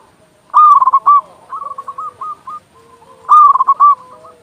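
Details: Loud-voiced local zebra dove, recorded as a master song to stimulate quiet or stressed doves. It gives a rapid stuttering phrase of clipped coos, a softer echoing series, then a second loud burst near three seconds.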